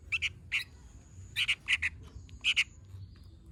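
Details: Sooty-headed bulbul calling in gacor style, loud, harsh paired notes given in quick doubles and triples with short pauses between bursts, over a quiet background with a faint high steady tone.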